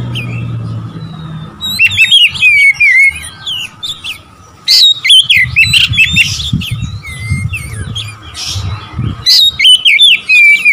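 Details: Oriental magpie-robin, called kacer, singing to provoke rival birds: loud clear whistled phrases with sliding, swooping notes and sharp chips in bursts, over a steady low hum and a faint tone in the background.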